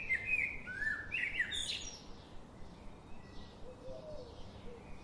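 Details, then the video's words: Daily visiting garden birds open with a rapid string of bright, sweeping chirps and twitters in the first two seconds, then fall quiet apart from faint low notes and background hum. "The chirping sound of these daily visiting birds"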